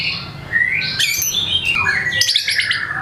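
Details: White-rumped shama in strong voice, performing its repertoire to encourage quiet shamas to sing: sweeping slurred whistles, a mid-clip burst of harsh high notes, and a final crackling chatter.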